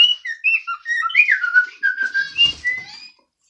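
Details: Pet bird singing: a varied string of clear whistled notes, stepping up and down and slurring between high and middling pitch, with a buzzy trill near the end.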